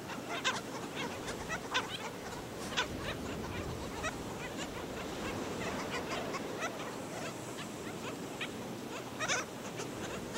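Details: Black skimmers at St. Pete Beach, Florida, at a scene where skimmers killed a chick: short, nasal, barking yaps from several birds, scattered and overlapping, over a steady rush of surf or wind.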